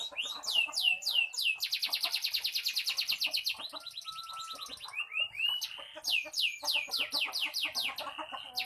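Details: Canary in a fierce, loud, persistent song: repeated rising whistles, then fast buzzy trills lasting about two seconds, a lower rattling trill, then more rising whistled notes and short chirps.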